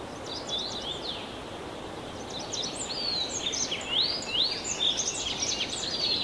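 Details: Tree pipit song: rapid series of high, thin notes and short rising and falling slurs, repeated quickly and growing louder toward the end, over a steady low background hiss.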